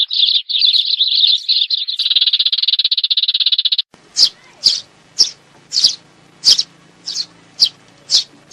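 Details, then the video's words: Sparrow calls: a dense, continuous buzzy chatter of high chirps for about four seconds, then a series of separate sharp chirps repeated roughly every half second, with a faint low hum beneath. "Tiếng chim sẻ"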